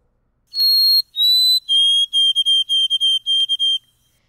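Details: Adult White-throated Sparrow song, confident and precise, contrasting with a young bird's practice song: two long pure whistles, then a slightly lower run of short, evenly repeated whistled notes ('old Sam Peabody Peabody'), clear and steady.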